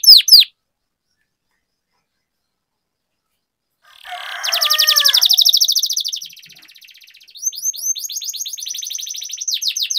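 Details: Canary singing as a lure to make lazy canaries sing, rolling 'ngerol' style: brief high notes, a long pause, then a loud buzzy trill with a faint lower warble beneath, and a renewed fast ringing trill.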